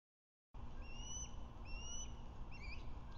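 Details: Osprey at a Lake Murray nest, on a nest camera at 1:03 pm on 21 February 2024, as the male brings a fish to the female. Clear, thin whistled chirps slur upward, repeated in short series over steady low background rumble.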